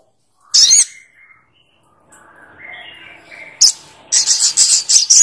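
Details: Little spiderhunter giving a sharp high chirp, then a pause with faint lower whistles, then a burst of rapid, strident high notes repeated several times a second.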